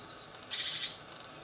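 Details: Great tit fledglings of a second brood leaving a balcony nest box at seven in the morning; a single short, harsh, hissing burst lasting under half a second.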